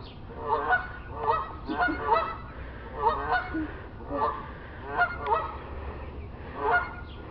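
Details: Geese on a neighbour's roof, taking a stroll and out of sight behind a tree; nasal honks in short clustered bursts, about seven bursts spaced roughly a second apart, with faint background hiss.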